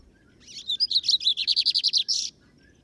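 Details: Bigodinho (Lined Seedeater) taken on a field outing (campiada) by its keeper: scratchy opening chirps, then a long, even series of about fourteen fast, sharp, high notes, closing with a buzzy flourish against a quiet background.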